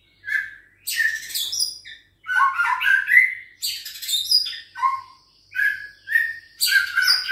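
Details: Caged juvenile white-rumped shama of Bahorok lineage, six weeks old, answering a rival's challenge with busy bursts of mixed whistles, chirps and harsh chatter, repeated every second or so with short gaps.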